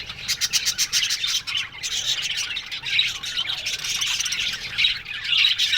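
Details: Aviary budgerigars chirping together in the morning, a continuous tangle of thin warbled twitters and clipped squawks from many birds, growing slightly louder toward the end.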